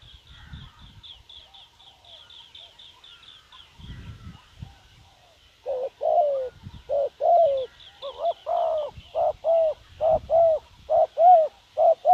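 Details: Spotted dove calling as a lure for wild doves. High thin chirping and rustling fill the first seconds, then steady low coos begin, in even pairs and runs, each slightly falling, repeated about once a second.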